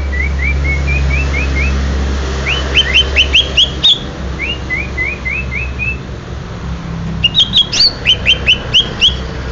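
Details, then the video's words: Greater green leafbird, Banyuwangi stock, opening with a series of short rising whistles, then sharp chirping bursts, another run of upslurred whistles and a final flurry of high twitters; strong low rumble underneath. "Ciri ciri cucak hijau banyu wangi asli"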